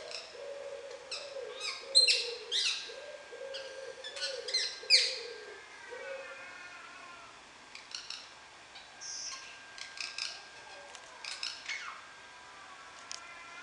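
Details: Wild rose-ringed parakeet talking, 19 July 2016: a run of low, murmured voice-like syllables, then scattered shrill squeaks and chatter.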